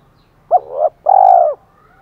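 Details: Spotted dove kept as a decoy, 'thổ pha' voice, calling to provoke fighting: one phrase of a short rising lead-in note joined to a longer wavering tone, then a sustained, rich, level coo.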